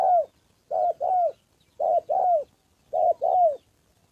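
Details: Spotted dove used as a trapping decoy, giving rhythmic two-part coos, a brief note followed by a longer downward-curving one, repeated about every 1.2 seconds in quiet surroundings.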